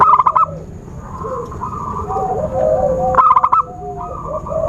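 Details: Zebra dove lure sound for catching birds: a rapid pulsed burst at the start and another after three seconds, with quieter trilling and wavering whistles from other birds in between and a steady faint high tone.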